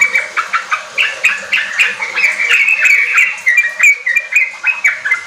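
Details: Sooty-headed bulbul in vigorous song, used as a lure to get raw caged birds kept together singing. Rapid chattering of bright, clipped notes flowing into a brief continuous warble.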